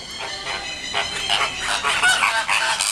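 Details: Hungry flamingo chicks with adults at Paris Zoo, Bois de Vincennes, calling while being fed: a dense, overlapping chorus of nasal, honking harmonic calls, several voices at once, rising and falling in loudness.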